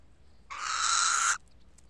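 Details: A little owl near its burrow gives one sharp, harsh mewing call, held nearly a second and rising slightly at the end, against quiet surroundings.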